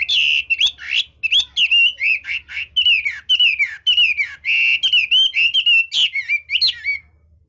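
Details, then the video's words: Chinese hwamei singing with switching voice ('đảo giọng'), a rapid unbroken run of bright whistled phrases, slurred up and down, with sharp chips between notes and a low steady hum underneath. "Chú mi cực hay, đảo giọng hót tốt hót rất đẳng cấp"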